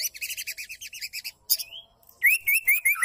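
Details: Female white-rumped shama calling to stir males into song: a fast even run of chipping notes, a short gap, a single rising whistle, then loud repeated upslurred notes in quick succession.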